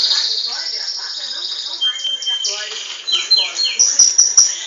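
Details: Song of a Belgian canary bred in captivity: a shimmering high trill opens, then a long whistle, quick descending chirp sequences and several sharp clicks near the close.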